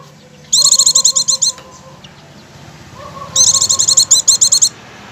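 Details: Lure recording of Oriental white-eye ngecir singing to set pleci singing immediately: two fast, high-pitched trills of about a dozen sharp chirps each, separated by roughly two seconds of near quiet.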